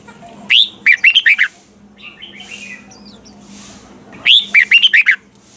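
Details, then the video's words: A caged red-whiskered bulbul sings mature wild-style double notes for song training, two loud phrases of a rising whistle followed by four or five rapid slurred notes, roughly four seconds apart, with quiet warbling between. "chào mào hót âm kép già rừng hay tuyệt!"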